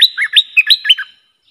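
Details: Agitated bulbul song aimed at rival wild birds, used as a lure: a fast, liquid run of about seven bouncing whistled notes that dips and rises, ending in a soft fading tail.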